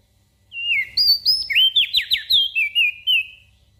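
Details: Energetic gacor song of a Javan grey-throated white-eye, a training model for small birds: a quick string of about ten bright whistled notes, each sharply sliding downward, delivered in under three seconds.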